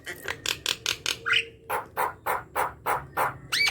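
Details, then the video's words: Javan myna song to encourage reluctant mynas: a steady series of harsh, grating churrs repeated about three times a second, with a brief whistled squeak in the middle. "Jalak kebo gacor | pancingan jalak kebo malas bunyi"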